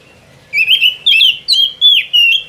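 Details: Oriental magpie-robin in full song, giving a quick run of clear whistled notes that slur up and down. The five bright phrases come back to back after a brief quiet start.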